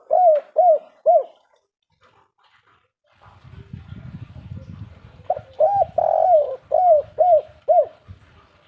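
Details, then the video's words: Spotted dove in the 'kuk 3' style, with three quick arched coos, a pause filled with low rumbling noise, then a full phrase: short notes, a long sliding coo and three or four evenly repeated hollow notes. "suara burung derkuku kuk 3"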